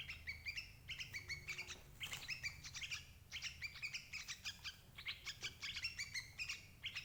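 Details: Busy sooty-headed bulbul calling for luring adult birds into traps: rapid, bright chirps in tight bursts almost without pause, with a brief soft hum and low background noise.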